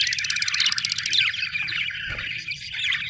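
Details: Happy budgerigars chirp and warble continuously, opening with a fast run of rapid ticking notes, then a busy mix of squeaks and chatter over a low hum.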